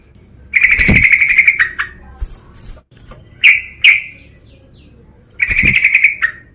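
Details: Male sooty-headed bulbul calling to provoke a rival: bursts of bright, rapid chattering notes lasting about a second, with two short sharp chirps between them, over faint low background hum.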